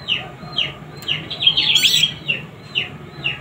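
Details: Young prinia, described as very vocal, calling with quick, thin, descending chirps repeated irregularly several times a second, with a short squeaky burst midway.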